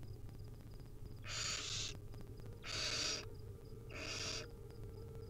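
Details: Hungry wild barn owl nestlings begging while being fed tiny bits by their mother at a nest: three harsh, breathy hissing screeches, each nearly a second long, over a steady low hum.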